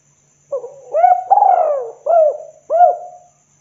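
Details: Spotted dove lure cooing, kuk-2 style, meant to call other doves: a soft introductory coo, a rising hoot, a long vibrating downward slur, then two separate arched hoots, all mid-pitched and mellow.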